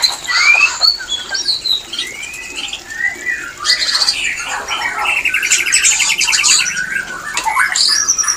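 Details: White-rumped shama mating song played to bring shamas into breeding condition; loud, dense run of whistled phrases and high rapid trills, with a buzzy stuttering rattle in the middle and high chips throughout.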